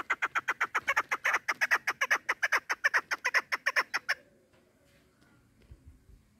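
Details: Hunting female chukar partridge delivering a long, rhythmic series of loud, sharp chuck notes at roughly two and a half per second, which breaks off abruptly and leaves near silence with faint low rustling.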